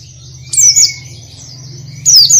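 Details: ['Oriental white-eye song with full variation: high, thin whistled notes sliding downward in short bursts, separated by pauses, over a steady low hum.']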